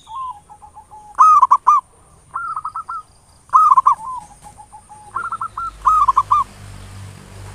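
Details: Local zebra dove singing in the ngayer nulop style, used as a lure to provoke singing: mellow cooing phrases near one pitch, each a quick stutter of clipped notes, repeated about every two seconds with soft low coos between.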